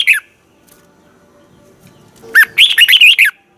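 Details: Red-whiskered bulbul, kept as a training bird, giving a morning song in a double twisted voice: a brief note, a long pause, then a rapid run of clear warbled whistles with rising and falling slurs.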